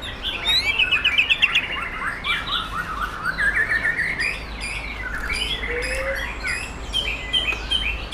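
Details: White-rumped shama of wild stock from Sumatra, ring-banded from Bengkulu, singing a rapid, varied chattering song of quick slurred notes and trills, dense and continuous.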